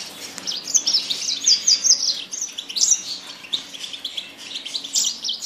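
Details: Loud Yasmin bird song of sharp, high chirps, including a quick series of three matching notes early on, followed by further bright twittering bursts.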